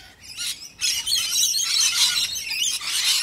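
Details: Flock of Australian Rainbow Lorikeets in a feeding frenzy over a bowl of warm nectar mix with honey: dense, high, shrill screeching and chattering overlapping continuously, starting quieter then swelling into a constant wall of noise.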